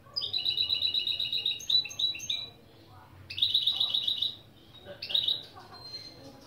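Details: Mule hybrid of goldfinch and canary delivering lesson phrases. A long fast trill with a doubled tone opens, then varied twittering notes, a second trill and a brief closing chirp.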